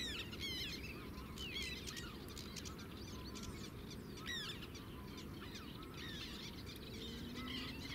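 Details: Sedge warbler singing in the Zouweboezem, Netherlands, filmed from a distance: a fast, busy stream of scratchy chirps, trills and sweeping whistled notes, dense and varied throughout over a steady low background rumble.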